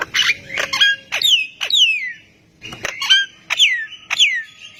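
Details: Javan myna singing to set other mynas calling; rasping bursts mixed with loud swooping downward whistles in pairs, separated by a short pause.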